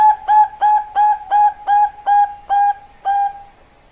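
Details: Caged Bangkok-line perkutut, or zebra dove, repeats nine clear hollow coo notes at an even pace, about two and a half per second. The last notes space out and fade.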